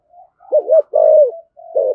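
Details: Spotted dove giving a driving 'thúc gù' coo meant to provoke wild doves: a faint lead-in note, then a wavering double coo, a long steady coo and a closing shorter coo.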